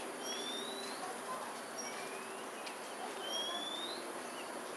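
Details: Pink-necked Green Pigeon pair feeding in Singapore, 5.18 pm on 4 December 2022: repeated thin whistles that climb steadily in pitch, each paired with a brief high note, over a hissing background.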